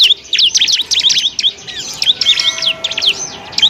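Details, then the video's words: Bar-winged prinia (ciblek) training song for other birds: dense, continuous high twittering of quick slurred notes, with a faint thin whistle beneath. "masteran burung ciblek"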